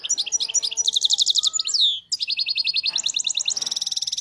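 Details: Continuous European goldfinch song from a wild-caught bird: quick runs of high metallic notes, a descending whistled slur around the middle, then rapid evenly repeated buzzy trills to the end.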